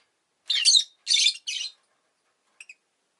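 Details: A pet rosy-faced lovebird (Agapornis roseicollis) gives three harsh, buzzy chirps in quick succession, then two tiny high clicks after a pause; town noise such as vehicles may be present.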